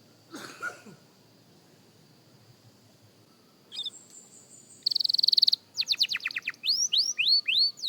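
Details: Young canary practising its song. After about five seconds of near silence with faint chirps, a burst of rapid buzzy notes leads into a string of quick rising whistled slurs, repeated several times.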